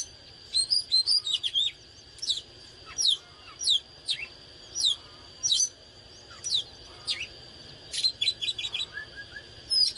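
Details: Oriental magpie-robin in fired-up song (căng lửa): a long series of sharp downward-slurred whistles repeated about every half second, mixed with brief trills and chips.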